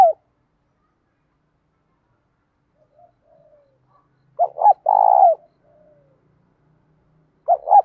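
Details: Spotted dove cooing in the 'thúc dút' style, a 'đồng' voice with a touch of 'thổ', used to train and provoke other doves; one full phrase of two short hooting notes and a long purring coo, with partial phrases at either end, in silence.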